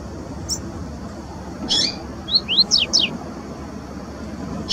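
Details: Double-collared seedeaters singing in the wild: a short burst of high buzzy notes, then a quick run of four or five sharply rising whistled slurs, with another burst at the end, over faint low background rumble.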